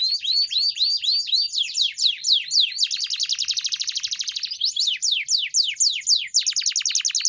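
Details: Pet canary training song in a small room: varied rapid phrases of rising and falling whistled sweeps, a fast buzzy trill near the middle, then repeated swooping notes, continuous throughout.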